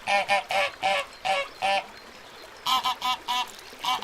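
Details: Little ducks calling in harsh, nasal quacks: a quick run of six evenly spaced honks, a short pause, then another burst of five, each note rich and layered.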